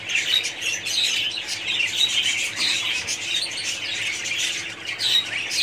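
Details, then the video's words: In a budgerigar colony, a steady babble of twittering and squawking mixes with a few clear whistled chirps, the crowded chorus surging and dipping in loudness. "budgies parrots colony"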